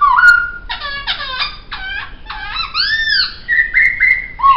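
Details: Laughingthrush called poksay sings for a master recording: a clear whistle, then rapid harmonic stutters, wide arched notes, and short bright whistles repeated toward the end.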